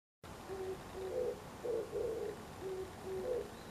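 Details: An Oriental turtle dove sings its morning song, which it gives every morning: low, hoarse cooing notes in a steady, rhythmic phrase, several soft coos grouped and repeated over a faint background hiss.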